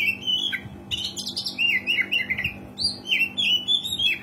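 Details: Gacor oriental magpie-robin singing continuously, used to lure quiet birds into song: quick varied whistles with scratchy chatter, many short notes in rapid succession, a constant low hum underneath.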